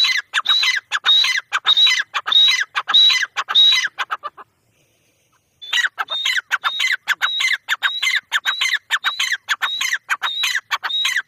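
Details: Grey francolin giving a long, rhythmic series of shrill phrases, each a rising whistle joined to sharp clipped notes, repeated about twice a second, with a brief pause partway through before the calling resumes.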